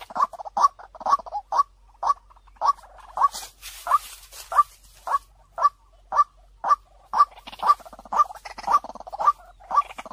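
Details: White-breasted waterhen lure recording, described as a clear, bright call: short harsh notes repeated steadily about twice a second, with a brief burst of broad noise midway.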